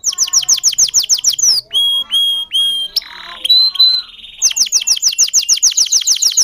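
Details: A domestic canary sings a cengkok-style song, its own modified phrases rather than copied from a tutor or nearby birds: rapid trills of sharp falling notes, a few long pure whistles, a buzzy passage, then quick trills again.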